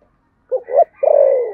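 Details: Spotted dove in the Sấm Thổ voice delivering one contest coo: two short low notes, then a long sustained descending coo, with a thin, faint high tone running steadily underneath.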